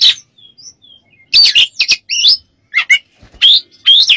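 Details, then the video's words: Oriental magpie-robin (kacer) training and therapy song: soft thin whistles at first, then loud raspy chattering phrases and bright rising whistles. "MASTERAN KACER DAN TERAPI"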